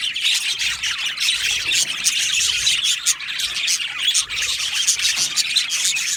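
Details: Budgie parakeets in an aviary colony keep up loud continuous chattering, high scratchy squawks and quick chirps from many birds layered together without break.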